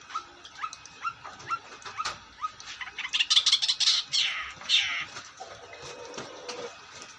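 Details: Long-tailed shrike singing energetically: a run of short rising chirps, then a dense burst of harsh, scratchy high notes, followed by scattered chips and a brief lower buzzy note.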